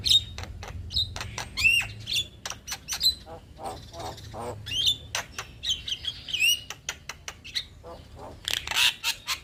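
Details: Male Black-winged starling singing gacor, its song said to make every bird join in: a rapid medley of dry clicks, raspy chatters and bright whistled upslurs and downslurs, delivered in busy uneven bursts over a faint hum.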